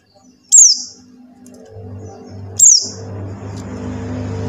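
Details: Lure call of a Buxtoni white-eye for prompting silent white-eyes: two sharp, very high, falling notes two seconds apart, over a low humming background that swells after the second note.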